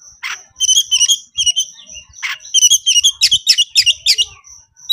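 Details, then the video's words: Oriental magpie-robin (kacer) singing in the excited 'konslet' style, calling a rival to fight: rapid bursts of shrill, buzzy, chattering notes with a high whistled tone woven between phrases, dense and nearly continuous. "siulan dan kicauan Kacer Konslet emosi tinggi panggil lawan auto ngeplay tarung"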